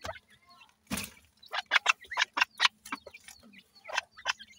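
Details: Young grey francolins making separate thin, high cheeps in a quick irregular series, with one brief rustling burst near the start and quiet gaps between notes.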